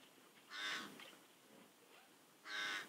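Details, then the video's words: Around a pond in Kuhmo, Finland, close to the Russian border, ravens and crows scream while two bears search for food; two hoarse caws roughly two seconds apart, moderately distant, with faint background rustling. "Ravens and crows scream around in Kuhmo."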